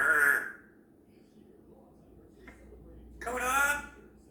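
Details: A female grey parrot (Psittacus erithacus) chatters to herself in the morning, practising sounds: two short speech-like bursts about three seconds apart, the second breathy and rising, in a quiet room.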